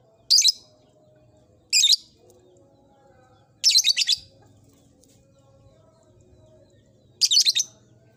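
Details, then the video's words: Lovebird in an old cage beginning to ngekek, giving four bursts of piercing, raspy high chirps, the later bursts stuttering, with long quiet gaps between them. "Suara burung Lovebird "Kicauan Di Sangakar Tua""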